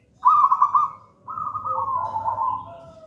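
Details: Gedang rojo local zebra dove, used as lure and master song; a strong burbling trill runs straight into a long, slowly falling coo lasting nearly two seconds.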